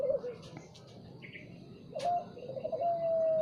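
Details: Morning spotted dove song: the tail of one coo at the start, a pause, then a fresh phrase of rolling, throaty coos ending in a long steady hoot.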